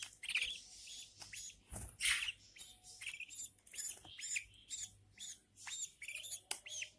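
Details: Newborn budgerigar chicks with their feeding mother, making hoarse, scratchy squeaks and rasping chirps in uneven bursts, partly blurred by rustling and a low background hum.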